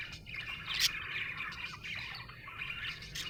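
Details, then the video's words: Happy budgerigar giving a steady chattering warble of soft chirps and squeaks, with a brief sharper squeak near the middle and a low hum underneath. "Happy budgie chirping sound"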